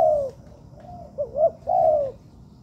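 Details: Spotted dove kept for training in a man-made yard: a drawn-out falling coo, a pause, two brief rounded notes, then a longer sliding coo that drops at its close, over quiet background.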